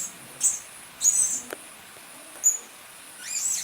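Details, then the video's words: Lure sound of a blue-crowned hanging parrot for attracting the birds: a few short, very high, thin squeaks spaced about a second apart over a faint hiss. "Suara-Suara Denak Pemikat Burung Serindit Dada Merah"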